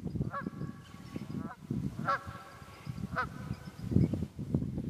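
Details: Wild geese honking in the Quehanna Wild Area, Pennsylvania, 27 February 2018: several nasal honks about a second apart over a constant low rumble.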